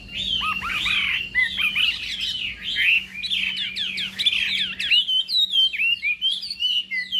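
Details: A Chinese hwamei sings a long contest song during morning training: a dense rush of rich, varied whistles and trills, then crisper separate looping notes, over a steady faint low hum.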